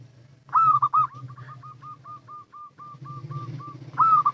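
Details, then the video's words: Local perkutut, the zebra dove, with a calling sequence suited for luring: a bright rolling coo phrase runs into a long steady series of short soft notes, ending with another loud phrase over a low steady hum. "Suara Panggilan PERKUTUT LOKAL , Paling Cocok Untuk Pancingan"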